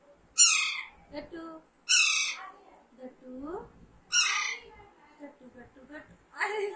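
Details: Loud, rasping screeches of a young pet Alexandrine parakeet, roughly every two seconds, dominate; between them a person softly repeats a word as part of talking training.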